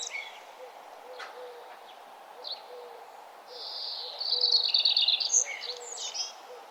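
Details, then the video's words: Birds singing along a nature trail on a beautiful morning as the sun rises: high, bright twittering phrases and a dense trilled burst midway, with a soft steady background hum. "birds singing and the sun arising"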